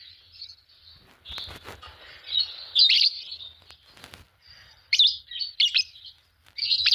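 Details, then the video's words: Chirping from a green Fischer's lovebird pair: continuous high twitter with faint wing or rustle clicks early on, rising into loud, rapid, shrill chirp bursts in the second half. "Lovebird singing and chirping sound, green fischer pair"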